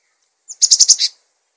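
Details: Cinereous tit song for training other birds: a brief lead-in note followed by five loud, buzzy, evenly spaced high notes in under a second.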